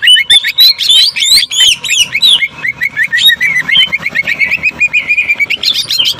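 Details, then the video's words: Cucak ijo (greater green leafbird) in jamtrok tembakan style, the sewing-machine burst: opens with looping high whistles and slurs, then settles into a fast, even stutter of sharp clipped notes. "CUCAK IJO JAMTROK TEMBAKAN SUARA MESIN JAHIT"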